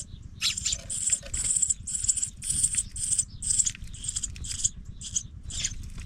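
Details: Pipit babies going out of the nest give dense, high-pitched squeaky chirps in rapid clustered bursts, almost continuous for six seconds, over low background hum.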